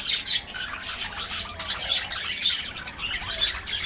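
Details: Budgerigars in an aviary colony: dense, overlapping high chirps and short scratchy warbles run continuously, with bright sharp notes popping out above the steady chattering mass of many birds.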